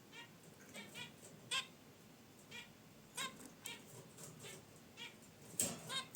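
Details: Caged zebra finches by their wicker basket nest give a loose series of brief, nasal, honking chirps, a few louder ones standing out against low room noise.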